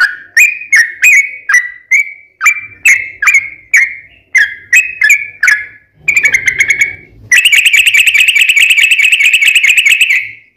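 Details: Yellow-vented bulbul lure song to draw replies from other bulbuls: bubbling whistled notes repeated quickly for six seconds, then a short stuttering burst and a loud, continuous buzzy trill to the end.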